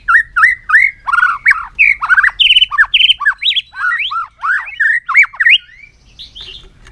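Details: White-rumped shama, excited and changing voice during a long-string song: a quick sequence of full, swooping, slightly harsh whistled notes, each different, tumbling in rapid succession before fading.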